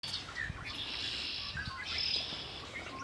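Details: Birds singing by Lake Erie: a dense chorus of high, overlapping chirps and trills, with a few brief whistled notes standing out above a steady outdoor hiss.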